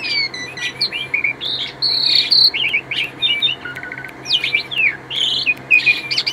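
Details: Asian pied starling in rapid, varied song mixing clear whistled phrases, squeaky slurred notes, a short rattling series near the middle, and harsh chirps, delivered almost without pause against a faint constant low hum.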